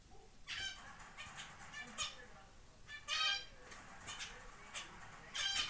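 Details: Zebra finches give short, nasal, buzzy calls at irregular intervals as a chick makes its first flight out of the nest.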